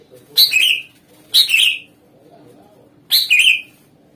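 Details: Greater green leafbird in lively song, played as a lure to draw replies from other birds: three separate bright chirping bursts, each a quick scratchy note falling into a shrill whistle, with pauses of about a second.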